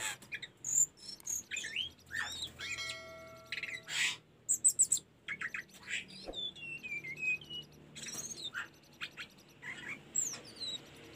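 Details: Tledekan gunung song for tutoring caged birds: varied sequence of sharp chips, short whistled slurs and a flat buzzy trill, phrases broken by brief pauses.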